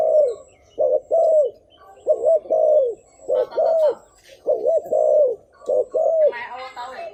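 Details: Spotted dove serving as a lure for wild birds, repeating low, hollow two- and three-note coo phrases with short gaps, brief twittering from other birds and rustling at the end.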